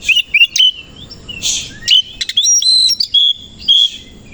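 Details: Morning song of an Oriental magpie-robin (kacer koci) with its tail opened: a dense run of sweet whistles, sharp upward slurs and scratchy chatter, varied and almost continuous.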